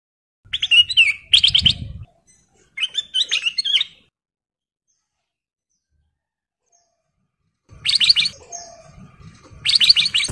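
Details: Male Ruby-throated bulbul (kutilang emas) in breeding condition, singing vigorously to call a female: bright, rapid clusters of chattering notes in short bursts, a long pause, then more bursts, with faint low rustling beneath.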